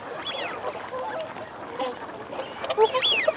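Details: Wigeon, males and females: one early whistle that rises and falls, soft low growling notes in the middle, then a burst of loud overlapping whistles and growls at the end.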